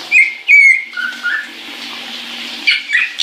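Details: Caique in the shower giving a couple of bright whistled notes, then quieter chirps, with running water hissing throughout.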